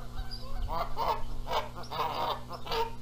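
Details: Canada geese at a nest at Rogers Place, Charlo, Montana, in mid-April 2022, disputing who sits on the eggs. A rapid, continuous series of harsh, wavering honks, about four or five bursts in three seconds.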